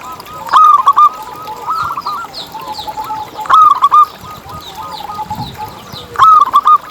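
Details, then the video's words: Zebra dove song recorded as a lure to set other zebra doves singing: phrases of bright, wavering coos near one pitch, with a louder burst roughly every three seconds over softer continuous cooing. "Suara Paling ISTIMEWAcUntuk Pancingan Burung Perkutut Agar BunyiTerus"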